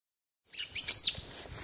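Eungella honeyeater giving a quick burst of three or four high, thin, scratchy chirps with a brief whistled slur, over faint background hiss.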